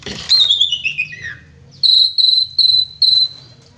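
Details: Asian pied starling in full chattering song with rich shot notes: a bright whistled note slides steeply downward, then four loud, steady high whistles follow in quick succession.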